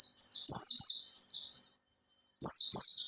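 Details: Oriental white-eye in a cage, kept three months, singing a lure song: an unbroken run of high, quick falling twitters for nearly two seconds, a pause, then another bright burst.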